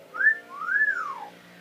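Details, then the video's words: Talking male pet parrot known for saying "pretty bird" and "hi", whistling indoors: a short rising whistle, then a longer clear note that climbs and slides back down, with faint room hum behind. "Birds say the darndest things"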